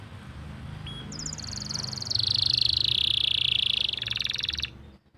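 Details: Canary master song from Pati, Central Java, Indonesia, played to coax non-singing canaries and young birds into song: fast pulsed rolls that step down from high, thin trills to a lower, dense buzzing roll, then end abruptly.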